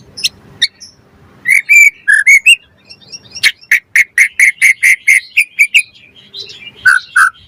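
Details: White-rumped shama lure song for provoking other birds to sing and for tutoring: a few scattered chirps, then a fast, steady series of about fifteen repeated sharp whistled notes, closing with two lower whistles.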